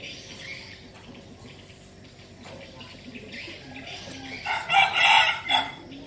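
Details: Male red junglefowl kept as a decoy bird in Bình Phước province, Vietnam, crowing near the end: a brief burst of harsh, broken notes after several seconds of quiet background rustle.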